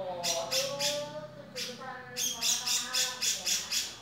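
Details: Male grey-cheeked bulbul: a few harsh, hoarse notes, a pause, then a quick run of about six buzzy notes, over a background of faint, sliding lower whistles.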